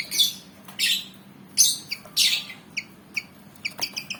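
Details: ['Malaysian pied fantail, black and white and eager to fight, giving long harsh hissing rasps, followed by a series of short sharp chirps.']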